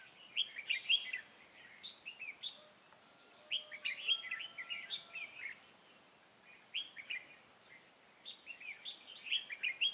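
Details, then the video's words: Red-whiskered bulbul used as a trapping decoy in Vietnam, August 2018: clusters of lively, chirpy whistled notes in quick groups, pausing between bursts, some phrases rising and falling. "Bẫy chào mào Mồi Cao phong ra trận bắt bổi lỡ"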